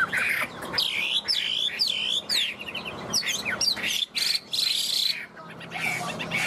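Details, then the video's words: A tame, newly arrived Chinese hwamei with yellow legs and beak, caged for over two years, sings a loud, rich run of varied whistled phrases, swooping and warbling high notes with quick trills between. "Chim họa mi thuần"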